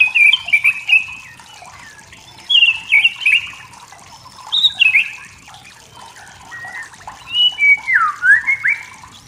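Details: Singing wild white-rumped shama of the forest, its song meant to provoke rivals: rich warbled whistles in several separate bursts, some notes dropping sharply then rising again, set against continuous background hiss resembling flowing water.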